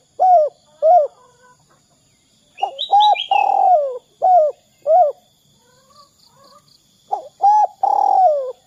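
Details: Spotted dove 'kuk 2' call played to draw other doves into calling: paired short coos, then a phrase ending in a long grating falling coo, with higher whistled notes from another bird and soft twittering between.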